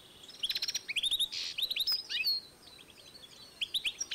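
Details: European goldfinch x canary cross, 2012, producing quick repeated high chirps and a buzzy note, a short quiet gap, then a few more twitters.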